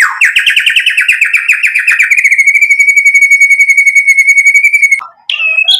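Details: A white-rumped shama sings to provoke other shamas: a fast wavering trill settles into a long, steady, rattling tone held for about three seconds, then breaks off into a few brief notes.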